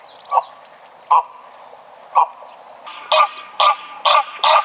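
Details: Greylag goose giving short, separate honks roughly once a second, then a quicker run of four harsher, louder honks near the end.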